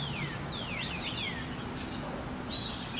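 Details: Bluebirds nesting in springtime, both adults bringing bugs, worms and morsels from the woods to a bird house and keeping watch: several clear, downslurred whistled notes in quick succession, then a fainter high note near the end, over steady background hiss.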